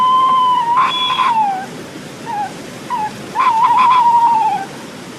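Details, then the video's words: A pair of tawny owls duet very close on a wild, stormy night in Southwick near Oundle, UK, in 2008: long, wavering, screechy notes falling at the end, with short calls between, over steady roaring wind. "I heard these tawny owls duetting on a wild, stormy night in Southwick. They're very close, and you can hear a more screeching quality to their calls."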